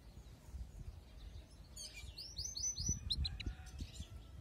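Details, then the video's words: Canary song: a quick burst of high, clear upswept notes run together into a fast trill for about a second, then a few sharp separate chirps, over a low rumbling background noise. "صوت كناري"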